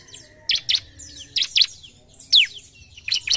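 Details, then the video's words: Fired-up Javan pied starling facing an opponent, giving sharp squeaks, a loud falling whistle and longer thin descending whistled slides. "CIBLEK GACOR | LAWAN LANGSUNG NGAMUK"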